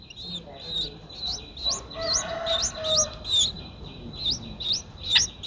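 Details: Streak-eared Bulbul nestling nine days old, Ubon Ratchathani, Thailand, 11 April 2023. Sharp upslurred squeaks repeat roughly twice a second. A soft, lower, buzzy undertone swells through the middle of the sequence.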